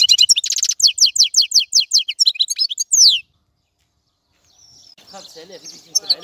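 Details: Lively goldfinch twitter of quick, liquid chirps and descending slurred notes for three seconds, followed by silence and then faint, scratchy rustling and soft chatter.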